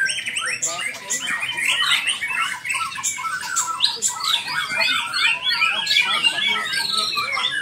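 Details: White-rumped shama singing: a dense, rapid run of varied chirps, squawky notes and short whistled phrases, tumbling without pause through the whole stretch.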